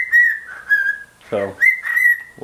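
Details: A pet bird indoors, swinging and singing to its owner's shoe, which excites it. It gives steady whistled notes held at one pitch, broken by brief wavering tones. A short human voice cuts in midway and again at the end.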